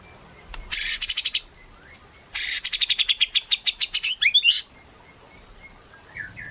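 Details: White-rumped shama in gacor (energetic, nonstop) singing, used as a lure to prompt other shamas to sing: two bursts of rapid, evenly repeated high notes, the second longer and ending in a jumbled flourish, with quiet pauses between.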